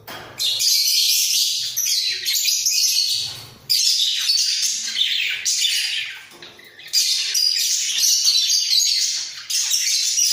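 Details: Budgerigar pair singing in a breeding cage while bobbing their heads; continuous scratchy, chattering high warble delivered in long loud stretches of about three seconds, each broken by short quieter gaps, with faint squawks mixed in.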